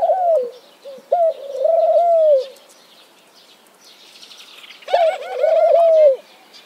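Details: Mourning dove singing: low, soft, hollow cooing in two phrases, each a brief rising coo followed by a long wavering run of coos. The phrases are about four seconds apart, with faint higher chirps from other birds in the background.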